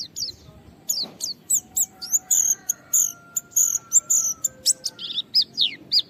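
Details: Gacor caged Japanese white-eye (pleci) challenging a rival to provoke other white-eyes to sing: rapid high twittering of sharp down-slurred chips and short trills, packed and varied, with a faint low steady hum underneath.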